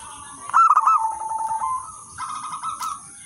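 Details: Short passage of local zebra dove song, used to lure and tutor other zebra doves: a bright trilled coo that slides lower and fades, then a softer rolling phrase, with a continuous high hum behind.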